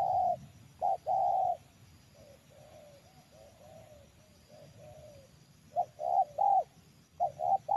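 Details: Spotted dove targeted for trapping, noted for its snoring voice, in a garden plantation one afternoon with a decoy bird set out: low, hoarse cooing in short bursts with softer murmured coos between and a faint outdoor hum.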